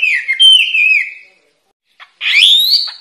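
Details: White-rumped shama singing as a training recording for caged songbirds: a clear whistled phrase gliding downward, a short silence, then a brighter rising whistle.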